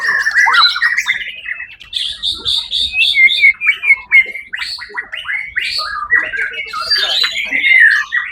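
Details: Caged white-rumped shama that took first place at the Suara Agung songbird competition, 1 October 2023, pouring out a fast, varied song of whistled and chattering phrases, with rapid trills and sharp upslurred notes throughout.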